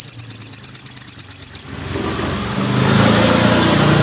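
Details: Masteran song of a sogon bird: a fast, regular series of high, buzzy notes lasting under two seconds, then a rising low rumbling noise.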